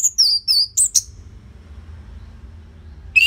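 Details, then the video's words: Orange-headed thrush in Bali, Indonesia, recorded to stimulate caged birds, giving a quick run of high downslurred whistles, then a pause and one rising note near the end. "Pancingan & Masteran ANIS MERAH Gacor Jeda Rapet Suara Keras"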